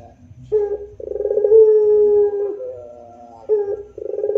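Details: Puter pelung barbary dove, rintihan moaning coo: a brief opening hoot, a rapid throbbing roll, then a sustained low tone over a second long, followed by a quieter pause and the next phrase starting.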